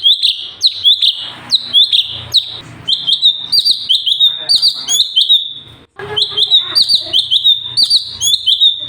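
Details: Very vocal Sooty-headed bulbul singing, recorded for teaching other birds: loud, rapid, whistled downslurred notes strung into long continuous runs. A brief break comes near the end, and faint low background hum runs beneath.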